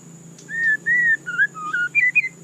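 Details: White-rumped shama singing a smooth sequence of mellow whistles, two long steady notes then quicker notes stepping down and up in pitch, over a faint steady high whine.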